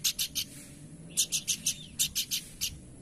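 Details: Horsfield's babbler in energetic song: brisk, buzzy chip notes in quick groups of three to four, delivered close and loud.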